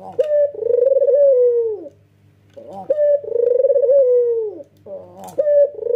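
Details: Vigorous nodding coo from a male white Barbary dove with red eyes. Short broken opening notes swell into a drawn-out, rolling coo that sags at its close, given twice with a pause, over a steady low hum.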